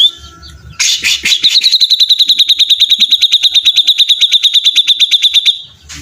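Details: Grey-cheeked bulbul in a 'beset ngepik' style: a harsh chattering start, then a long steady high trill of evenly repeated sharp notes lasting about four seconds.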